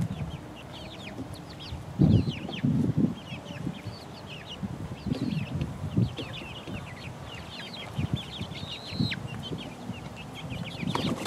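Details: Flock of four-week-old chicks pecking around, keeping up a busy stream of thin high peeps, with louder low knocks and scratching near two and three seconds.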